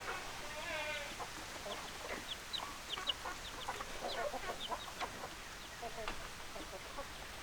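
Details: Hens and roosters in a group, clucking with many short, sharp calls overlapping across the clip, plus a brief harmonic crow-like note near the start, over steady background noise.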